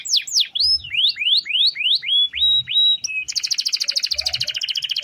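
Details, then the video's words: Canary singing vigorously for daily training of other birds: a series of loud rising-then-falling whistled sweeps, then a rapid, dense, buzzing roll to the end. "Suara Kenari Gacor Ngerol Panjang"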